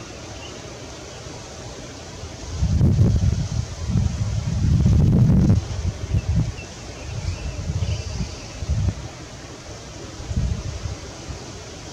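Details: Only low, gusty wind rumble and rustling are heard, with no calls from swallows or any other animal.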